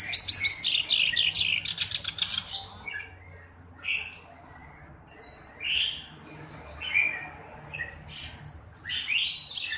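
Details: Caged black-browed reed warbler used as a tutor bird, opening with a fast rattling burst of ticks, then uneven scratchy chirps and buzzy fragments with gaps between phrases.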